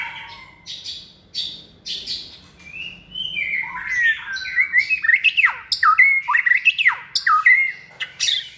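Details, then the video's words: Hand-raised captive White-rumped shama in its second season, kept for cage competition singing. A few sharp chips lead into rich, fluting whistled song with rapid up-and-down phrases repeated several times. "chòe lửa dáng sẻ, hót cực bền nết chuẩn đấu giàn"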